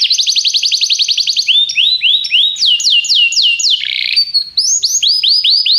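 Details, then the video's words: Canary training song with a quick rattling trill, then slower looping downward-sliding whistles, a brief buzzy note, and renewed rising-falling sweeps, high-pitched and continuous. "treinamento canário - seu canário cantará muito se ouvir isso"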